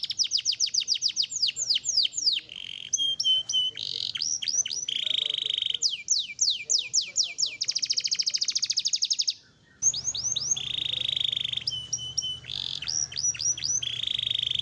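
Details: Canary song meant as a model for pet songbirds, a varied stream of rapid falling chips, buzzy sustained rolls and dense trills, briefly pausing midway, with a low hum underneath.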